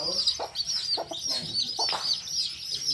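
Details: Hen with baby chicks in a field. A constant high chorus of many thin peeping chirps overlaps throughout, with a few soft, lower clucking notes breaking in now and then.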